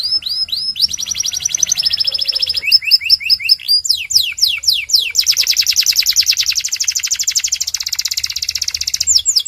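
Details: Belgian canary song played to make canaries sing nonstop: varied phrases of rising whistles, fast descending notes and long rapid buzzy rolls following one another without pause.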